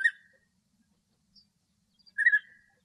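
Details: Male European bee-eater singing happily in Greek nature: a rolling trill cut at the start, then after a faint pause another burry trilled note; a soft low hum runs underneath.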